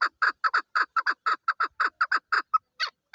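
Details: A female chukar partridge (Alectoris chukar), Pakistan's national bird, gives a fast run of harsh, clucking 'chuk' notes, about two per second, in a steady rattling series; no other sounds intrude.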